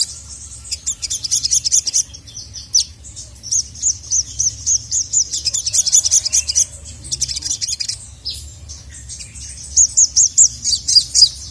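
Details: Excited sogon summoning a male: bright, piercing high notes in rapid runs, separated by short silences, each burst a quick string of clipped chirps.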